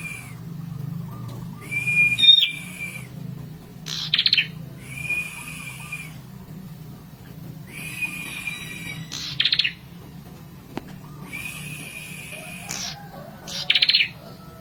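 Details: Red-headed prinia song used to stir up rival birds: long level high whistles, each ending in a brief buzzy burst, repeated about every four seconds with quiet gaps and low background hum.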